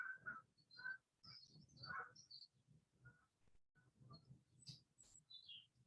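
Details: Morning birdsong of scattered short, high chirps and thin whistles, a few notes each second, with geese honking in the background and a soft outdoor rumble underneath.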